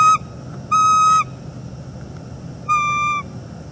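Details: Wild bald eagles at a northeast Florida nest, morning, 29 September 2021, calling to each other after the female refuses the male; clipped note, a long steady whistled call, silence, then another drawn-out whistle.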